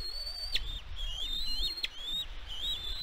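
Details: Catalina Island, California, USA: a bald eagle at its nest, nest camera, 16 May 2022. High thin whistles waver and rise, then fall steeply, repeated about every 1.3 seconds over low rumbling background.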